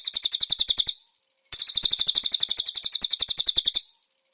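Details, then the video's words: Konin, a cage bird, singing in a master recording made to train cage birds, its song filled with cililin phrases: a rapid, very high, buzzy trill of sharp repeated notes in a burst of about one second, a pause, then a longer burst. "MASTERAN BURUNG KONIN ISIAN CILILIN"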